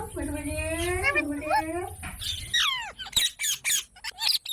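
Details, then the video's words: Pet parrot, indoors in a small room: a harmonic, voice-like wavering phrase, then falling whistled sweeps and a run of harsh, broadband squawks in short bursts. "Parrot Sounds"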